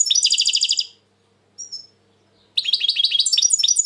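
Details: Dense, fast twittering from a European goldfinch said to be very tense in 2020: a silvery buzzy trill, a brief chirp after a near-silent gap, then a lively jangling run of high liquid notes.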